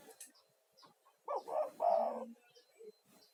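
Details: Spotted dove, a lively male lure call for attracting doves and soothing stressed caged birds; a single low phrase of short coos ending in a longer held note, with faint background chirps.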